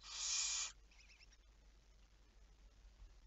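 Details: Barn owl, night of 11 May 2019 at 23:34: an intense hissing screech of about 0.7 seconds opens the recording, followed by faint, quick, clicking ticks and low background hum.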